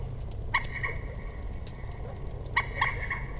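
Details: Common moorhen giving short, sharp clucking notes, a lone one and then a quick pair about two seconds later, quiet against a low background rumble.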